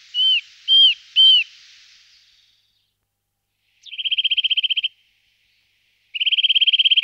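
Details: Eurasian nuthatch: three loud, separate, down-curving whistled notes, then two long, fast, even trills of piping notes at one pitch after silences.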